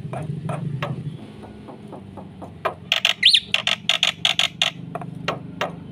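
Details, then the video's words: Black-winged myna in lively song to spur other birds: soft clicks over a low hum, then a burst of loud buzzy rasping notes with a sharp rising whistle, fading into spaced calls. "suara burung jalak putih gacor full isian"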